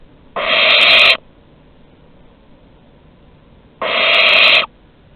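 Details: Two long, raspy hissing screeches from barn owls at Théding on August 23, 2020, when an older bird hands prey to a younger one; the bursts are several seconds apart with near silence between.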